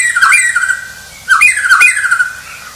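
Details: Two harsh, wavering, squawky phrases at mid pitch from a champion White-rumped shama.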